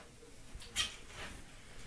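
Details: A white fawn pied male and white chocolate pied female Society finch in a new flight cage; one bright buzzy chirp, then a softer second note, against quiet indoor background.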